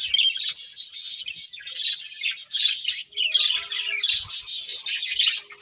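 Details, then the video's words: Budgie breeding pair chattering in bursts of high, raspy warbles and chirps separated by short gaps, some faint tonal squeaks later. "Cute Budgies Chirping Sounds"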